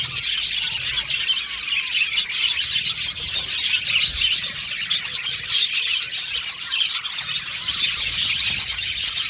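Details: Budgerigars in a colony aviary, dense continuous high chirping and twittering chatter from many birds at once, no pauses.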